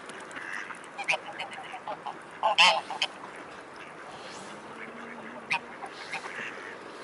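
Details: Mute swan giving one short, hoarse, harmonic-rich call of under half a second, preceded and followed by scattered brief clicks and faint waterfowl chatter over a steady background hiss.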